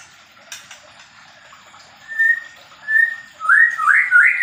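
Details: Captive Medan white-rumped shama in a mini aviary during pairing: two level whistled notes, then a loud run of rich upslurred and wavering whistles building toward the end, with faint clicks early on.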